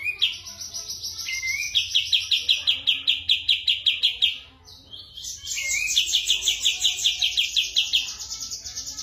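Sooty-headed bulbul singing a fast, bright run of repeated chattering notes, high and ringing, in two long bursts with a short pause between.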